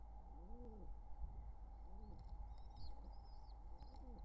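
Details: At a wild pigeon nest with nestlings during courtship, summer 2023, a few low arched coos sound, then thin high wavering squeaks join in, over a constant hum.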